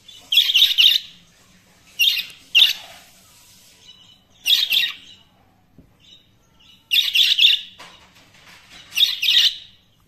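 Budgerigars chatter in bursts of rapid, scratchy, high chirps and squeaky warbles.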